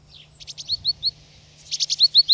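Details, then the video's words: Great tit filmed in France uttering a series of quick descending slurred chips, soft then louder, repeated in two runs, against a faint low hum. "Mésange charbonnière - Great Tit - Kohmeise ( Parus major )"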